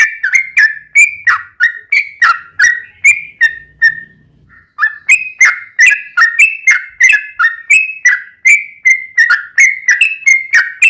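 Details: Yellow-vented bulbul (trucuk) singing in a long rolling 'ropel' style, used as a lure to make captive birds answer: fast run of bubbly whistled notes near two to three kilohertz, about two or three per second, with a brief pause midway.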